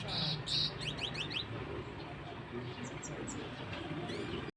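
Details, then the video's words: Young Himalayan goldfinch, locally called Saira, a newly acquired pet trying to sing: a quick burst of thin, high chirps and short rising notes in the first second and a half, then only faint scattered tweets over steady indoor background hum. "Himalayan Saira trying to singing"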